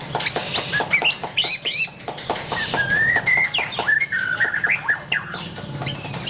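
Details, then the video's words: White-rumped shama singing mellow slurred whistles, some rising and some falling, in loosely joined phrases against a clicking background. "SUARA BURUNG : Pilih Murai Batu Gacor"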